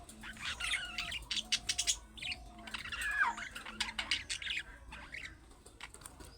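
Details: Budgerigars chattering in the young-bird calling manner that gets other budgies to answer; dense squeaky warbles with a descending looped note midway, fading toward the end, over faint low humming.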